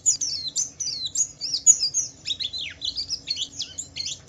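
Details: Javan white-eye singing ngalas-style to lure other white-eyes into song: bright, high chirps at first, then lower, swooping warbled notes in an uneven, fast sequence.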